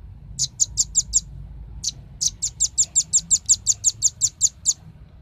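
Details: Lure sound of a velvet-fronted nuthatch for drawing in birds: a few piercing high chips, a brief gap, then a steady rapid string of evenly spaced metallic notes.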